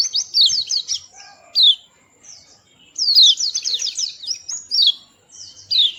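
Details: Small white-eye, described as sweet-voiced and playful, gives high, quick twittering phrases of rapidly falling and rising notes, broken by short gaps and single sharp chips.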